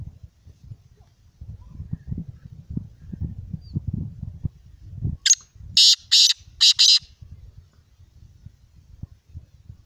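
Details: Grating call of a Black francolin (kala teetar): five harsh, strident notes in about two seconds, the last two nearly merged, preceded by low rustling and bumping sounds.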